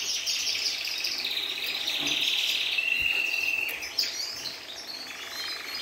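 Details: Singing Syrian canary: high warbled trills, then a steady flat whistled roll held for about a second, followed by a few quick chirps.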